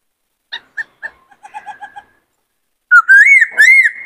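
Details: White-cheeked laughingthrush in a training session of singing in many voices: soft, scattered short notes and a brief chattering run, then a pause and loud, wavering, whistled phrases with a sharp harsh note mixed in.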